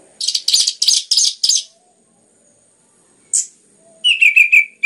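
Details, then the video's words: Orange-headed thrush singing a lure song meant to stimulate other birds: a rapid series of harsh buzzy bursts, a short pause, one slurred note, then fast repeated warbled whistles. "PANCINGAN anis merah ngeplong gacor rapat cocok untuk MERANGSANG bunyi tambah GACOR"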